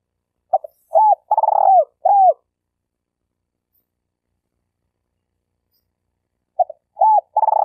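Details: Malaysian spotted dove (tekukur) kept as a denak decoy for trapping, giving a full cooing phrase: two brief notes, an arched coo, a long trilled coo sliding down, then a closing arched note; a pause, then the phrase restarts.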